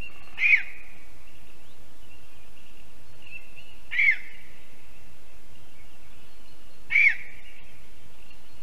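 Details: Lesser spotted eagle, a female just returned from Africa to breed, calling from a spruce nest in Zemgale, Latvia, 11 April 2022, around 6 PM. Three sharp, high yelps come roughly every three seconds, each short and slightly falling, over quiet background.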